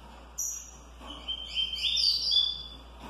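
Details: Trinca-ferro, the green-winged saltator, singing its smooth curricurril style alongside tui tui style coleiros: a high, sharp opening note, then a run of warbled, rising and falling whistles that swell in loudness before ending abruptly. Steady low hiss underneath.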